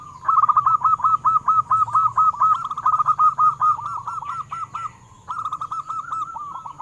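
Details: Zebra dove song for prompting captive doves to sing: long, steady runs of rapid, looping coo notes, about two per second, briefly broken near the end, with faint higher chirps mixed in.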